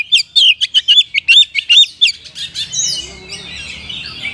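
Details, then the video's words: Oriental magpie-robin kept in a cage, its full song meant to rouse lazy caged birds; a quick burst of loud whistled notes for two seconds, then a softer, slurred warbling tail-off. "TOP KACER GACOR isian mewah 🔴 pas untuk pancingan burung Kacer loyo malas ngoceh jadi tambah EMOSI!!"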